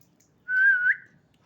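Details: Pet parakeet, described as very angry, gives one clear half-second whistle that holds steady, then lifts sharply at the end; the background is otherwise quiet.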